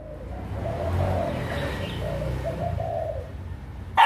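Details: Breeding spotted dove on 6 December 2021 cooing in repeated hoarse, mid-pitched phrases of several notes over a low rumble, with a single dog bark at the very end.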